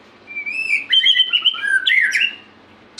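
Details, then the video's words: A White-rumped shama sings lively, with rich whistled phrases: a long even note, then quick rising and falling warbles and sharp upslurred notes, in a quiet setting. "murai gacor"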